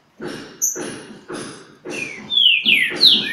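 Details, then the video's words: Green-winged saltator at Pedra Azul in a singing dispute with a free bird; repeated broad rustling bursts about every half second, then loud clear whistled notes slurring downward near the end. "Trinca Ferro em Pedra Azul!! Disputa com o solto!!"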